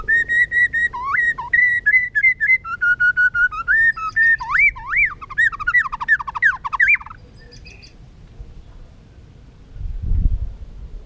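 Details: White-rumped shama, a fire-tailed contest bird stimulated to sing for fighting contests; loud rich whistled phrases with varied rising and falling notes, rapid repeated elements, then a short pause and a brief low thump.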